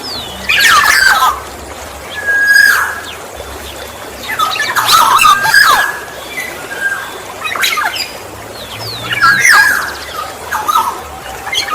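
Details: Black-naped oriole sounds meant as a lure for other orioles: rasping, cat-like squawks with a mellow whistled note blended in, repeated roughly every two seconds in uneven bursts, rural outdoor setting.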